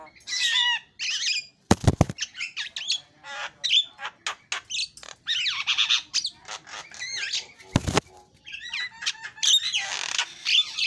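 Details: Javan myna song: dense harsh chatter, squawks and whistles, interrupted by two loud sharp knocks.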